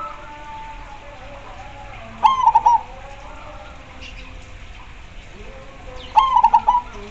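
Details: Zebra dove (perkutut) singing. Two loud bubbling phrases about four seconds apart, each a clipped opening note followed by a fast run of rolling, pulsed coos at one pitch. Other doves coo faintly in the background with a low hum.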